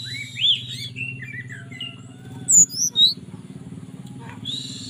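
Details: Caged mountain tailorbird from Purworejo, Central Java, whistling a relaxed flute-like song to call a female: sliding tonal notes, some rising sharply high, in short bursts over a steady low hum.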